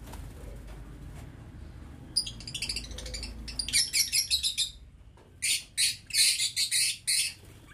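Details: Lovebirds kept in an aviary cage, November 2022: a quiet start, then bursts of sharp, high chattering chirps in quick repeated clusters, with a pause before a louder, denser run of shrill notes.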